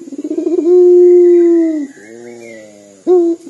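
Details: Local puter dove, a keen caller, giving a call said to sound like crying: a wavering, throbbing start, then a long, smooth coo held steady. A softer, lower drawn-out note follows, then a sudden loud restart. A faint steady whine runs throughout.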